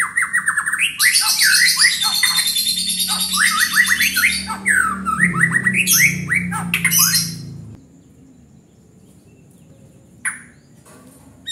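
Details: Loud, vigorous (gacor) song from a white-rumped shama: harsh squawky phrases mixed with rapid descending whistles for about seven seconds, then near silence broken by one short high note.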